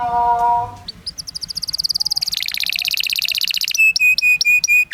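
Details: Canary master song for teaching young canaries: after a brief tonal hum, rapid buzzy rolling trills that build in speed, then a series of clear repeated whistled notes with high sharp ticks above.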